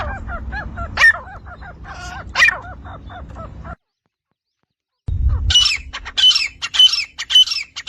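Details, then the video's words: Partridge (titar), Iranian or Dhakni type, sex unstated, from a set of male and female sounds for calling, catching and hunting. Harsh, stacked, honking notes repeat for four seconds, then a silence, then sharper, higher, squeaky calls in quick series. "Iranian & Dhakni Titar saaf awaaz Male Female Sounds"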